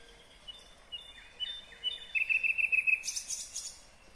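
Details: Nightingale singing in Kyrgyzstan in 2020: a quick series of even, sharp repeated notes, then a bright, high, buzzy burst, over soft outdoor background noise.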